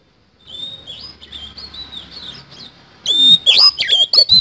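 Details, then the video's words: Oriental magpie-robin (kacer) singing a busy 'isian kasan' song: soft, wavering high whistles for three seconds, then loud, rapid bursts of sweeping whistled notes mixed with harsh, clicking chatter. "BURUNG KACER GACOR ISIAN KASAN"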